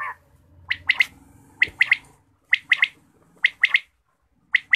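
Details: Quail calling in the morning: sharp three-note phrases, each note a short bright chirp, repeated about every second, with quiet low hum underneath.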